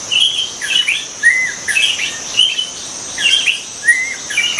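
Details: Wild white-rumped shama giving short, clear whistled phrases roughly every half second, each a quick rising or falling slur, over a constant high insect buzz.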